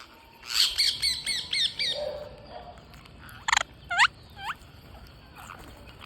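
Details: Green parrots at a feeding: a quick run of sharp, downward-sliding chirps, then a few separate loud screeches and a curving squeal, against a faint outdoor hiss.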